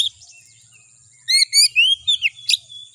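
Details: Oriental magpie-robin song used to make a kacer excited and vocal: after a quiet second, a burst of ringing whistled phrases and rising slurs ending in a harsh note, with a faint constant tone behind.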